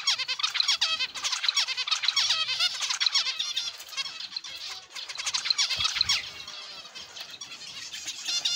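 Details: Aviary flock of zebra finches producing a continuous chatter of short nasal, buzzy harmonic notes, many voices overlapping without pause.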